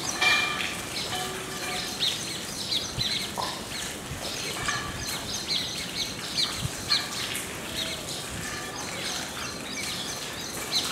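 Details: An Indian silverbill family calling together in a "family discussion": brief, high, thin chips and tinkling notes scattered irregularly over a steady hiss of outdoor background noise.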